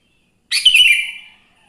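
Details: Single loud, bubbly, slightly harsh phrase from a wild Sooty-headed bulbul singing in the morning, fading over about a second; the song is used to lure other bulbuls into singing.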